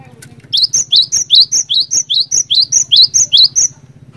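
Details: Cinereous tit (glatik batu) lure song for setting off other birds: a long, regular chain of about thirteen high, sharp two-note whistles, roughly two and a half per second, backed by a constant low hum.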